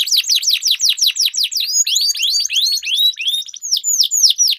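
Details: Canaries dueling in song, recorded as training lure for competition birds: rapid series of descending whistled slurs, shifting to looping upward and downward sweeps, with overlapping voices.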